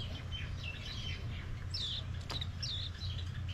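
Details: Japanese white-eye, also called Mejiro, visiting a yard on Maui, Hawaii, in mango season; a few thin, high, downslurred chirps, some scattered and two clearer ones near the end, over a steady low rumbling hum.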